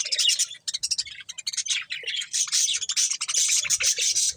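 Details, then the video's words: Pet budgerigars eating corn give a busy, scratchy twittering that builds from broken chirps into a continuous high warble. "Cute Budgies Enjoying Eating Corn | Love Birds Chirping Sounds"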